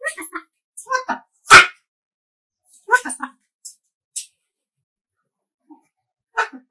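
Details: A pet umbrella cockatoo, described as angry and saying "W.T.F", gives a few clipped, speech-like phrases and one loud, harsh screech in a small room, with brief pauses between outbursts.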